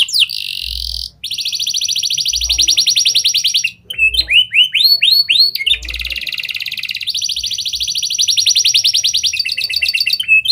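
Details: Singing canary with lovebird and prinia (prenjak) patterns, played as a lure for other canaries: long bright rolling trills broken by a few short gaps and a string of curved whistled notes, with soft low thumps beneath.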